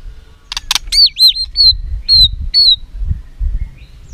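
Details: White-rumped shama fighting song, aimed at firing up other birds: two sharp clicks, a looping whistled phrase, then three or four short high falling whistles spaced about half a second apart, with low background rumble.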